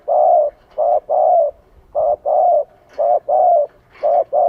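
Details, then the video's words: Spotted dove in Vietnam cooing to lure wild doves, a loud repeated rhythm of brief hoots each followed by a longer, level-to-falling coo, four phrases in a row. "Tiếng chim cu gáy gọi kích mồi hiệu quả"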